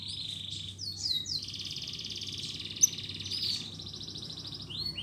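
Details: Canary singing vigorously, a recording used to prompt silent or lazy canaries to sing again: long, steady, buzzy trills held high, shifting pitch between phrases, over a low background hum.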